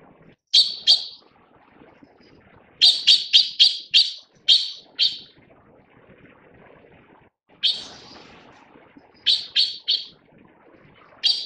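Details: Taiwan blue magpie at the nest while feeding chicks: loud, harsh, raspy notes, first a pair, then a rapid burst of five, later one drawn-out rasp and a run of three, over faint background rustle.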